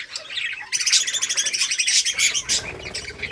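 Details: Colourful budgerigars playing and chirping in a colony, August 25, 2023; after a brief quiet start, a loud rapid run of pulsed chattering notes, then softer warbles.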